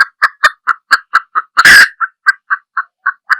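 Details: Red junglefowl hen making a steady string of short, clipped clucks about four per second, interrupted midway by one loud, harsh, drawn-out squawk.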